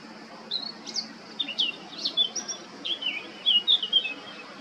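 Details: Eurasian blackcap male recorded on 20 July 2022 at Baška, Krk island, Croatia, giving a loose warbling song of separate chirpy and whistled notes, sliding up and down, with short gaps between them.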